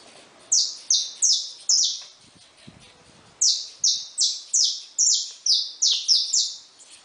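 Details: Loose, wild saffron finches at a feeding station; quick bright chirps sliding downward, four in a row, a short gap with soft knocks, then about nine more in a faster, denser run.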